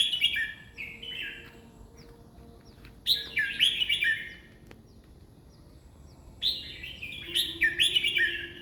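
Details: Red-whiskered bulbul song at roughly 20 phrases in a minute: short, rich, chirpy warbled phrases repeated in bursts, with quiet stretches between clusters and a soft low tone in the background.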